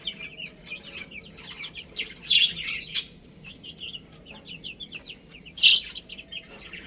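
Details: Little chicks playing, with soft, scattered high chirps broken by a few loud, piercing peeps that stand out clearly.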